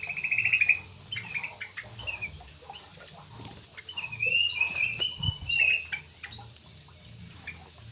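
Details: Javan pied starling, called a skilled dancer, opens with a buzzy trill, adds scattered clicks, then gives a longer wavering, whistled and rasping phrase. A thump and a low hum are also heard.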